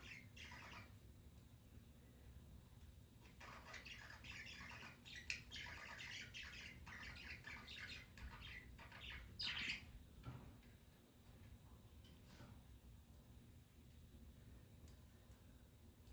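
Budgerigars chatter in quick, scratchy chirps and squawks over a steady low room hum.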